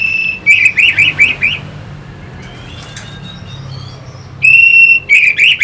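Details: Orange-headed thrush song meant to excite fighting birds: a steady whistled note leading into a quick series of five wavering, warbled notes, a quiet gap with faint notes, then the pattern repeats loudly.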